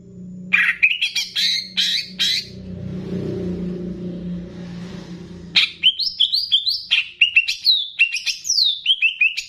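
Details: Master song of a Banyuwangi greater green leafbird with bebeci phrases, used to raise a bird's emotion: rich varied whistles and chirps, a low humming background in the middle, then a fast string of descending slurred whistles.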